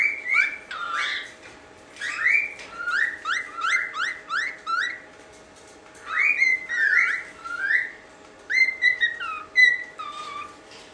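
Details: A pet talking cockatiel whistles a run of clear, slurred notes in short repeated phrases.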